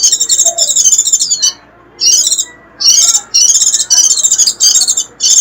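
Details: Warbling white-eye giving its sharp 'rít' call, played to lure wild birds, clean with no background noise: very high, thin, buzzy bursts of rapid twittering notes, each about a second long, separated by brief silences.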